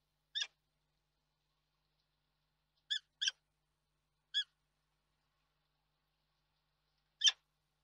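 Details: Peregrine falcon near its nest in Reda, Poland, on 31 March 2022, giving spaced, clipped harsh notes, single or paired, with long silent gaps of up to three seconds.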